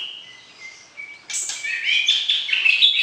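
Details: White-rumped shama kept for breeding, calling to stir the opposite sex before mating; a thin sustained whistle first, then a sudden burst of loud, fast, varied chirps and trills.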